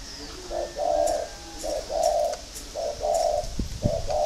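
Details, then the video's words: Spotted dove of a northern Vietnamese breeding line, kept by a breeder near Ba Vì, Hanoi, cooing in low hollow phrases of two to three notes, repeated about every second, with faint clicks and knocks behind. "cu gáy giộng thổ"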